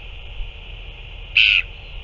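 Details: Northern royal albatross, recorded 9 February 2024 as two adults feed a chick; a single loud, harsh squawk of about a quarter second rising out of steady background hiss.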